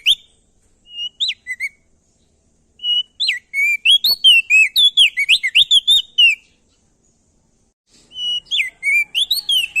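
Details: Male ashy tailorbird, Nusa Tenggara, giving a loud lure song to spur other birds into song: short whistled notes at first, then a long fast volley of clear swooping whistles, a pause, and another burst.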